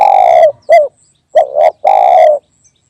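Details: Spotted dove calling for luring wild doves: a long buzzy coo, a short note, a double coo and another long level coo, all loud and harsh-toned within under three seconds.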